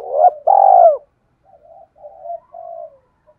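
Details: Spotted dove in the urging 'cu gáy thúc' style, used to provoke a decoy bird: a brief hooked note and a long, throaty, slightly falling coo, followed by several soft, low trailing coos.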